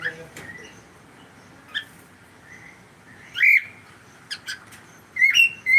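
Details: Cockatiel making scattered single chirps, then a louder, harsher squawk-like call and a closing pair of bright rising notes, over a quiet indoor background.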